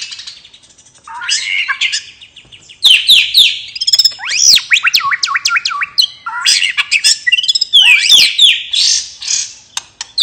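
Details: White-rumped shama in relaxed song, played to prompt silent or reluctant birds into singing: a loud, varied tumble of high, sharp, squeaky slurred whistles and chattering notes in bursts, with rapid up-and-down sweeps throughout.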